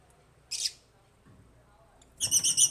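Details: African lovebirds kept as pets in an aviary give a short harsh chirp, then after a pause a burst of rapid, shrill, buzzy chirping notes.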